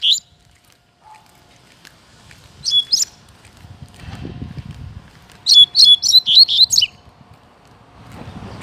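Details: Caged male Double-collared Seedeater singing a lot on a walk in the bush before his moult: short bursts of sharp, high, clipped notes, ending in a fast run of about six notes, with rustling and handling noise between.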